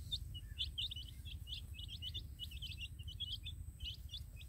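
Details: Baby chicks out in a field with a hen, peeping constantly: sharp high cheeps tumbling over one another in dense clusters above a low background hum.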